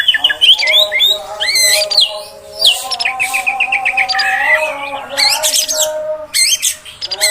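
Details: Female oriental magpie-robin voice meant to excite males: a rich jumble of looping whistles, a fast rattle of repeated notes and harsh bursts, with a steady droning tone underneath.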